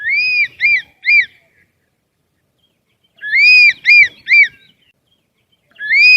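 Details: A bird sings clear, arched whistled notes in groups of three, each group separated by about two seconds of silence, the last group starting again at the end.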